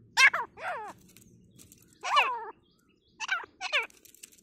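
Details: Forest grey francolin during a fight, uttering harsh, downward-curving harmonic notes in short bursts, paired calls separated by brief silences, with faint low background noise.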